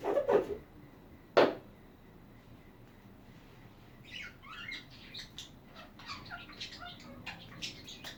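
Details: Budgerigars chatter after two dull knocks at the start: a busy run of short chirps, squeaks and warbled notes, irregular and overlapping, through the second half.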